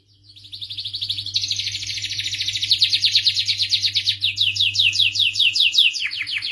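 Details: Canary, starblue variety, song fading in and building into a long fast high trill, then switching to slower separate sweeping chirps and a low descending note near the end; soft background hum.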